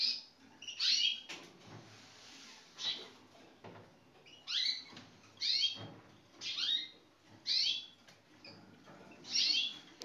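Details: Male Gloster canaries from the 2016 season; bright chirping phrases sweep down from high pitch, bursts coming every one to two seconds over a faint hissy background.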